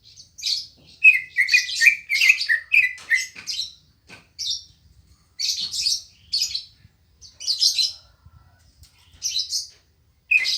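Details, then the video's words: Green leafbird, called cucak ijo, singing at a house: bright chattering phrases of quick whistled notes and buzzy trills in bursts of about a second, with short pauses between, little background noise. "Suara Burung Cucak Ijo Gacor Apik Merdu"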